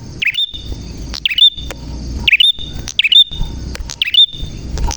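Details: Prinia in full, lively song, a recording meant to bring young wild-caught birds into song: sharp chirped notes sweeping down then up, roughly one burst a second, over a steady high tone and low rumble.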